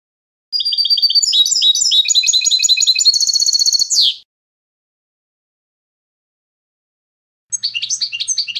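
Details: European goldfinch singing clean competition-style song (canto limpio), used for teaching young goldfinches: fast twittering, buzzy high notes for about three and a half seconds ending in a downward sweep, then silence before another brief burst of chattering.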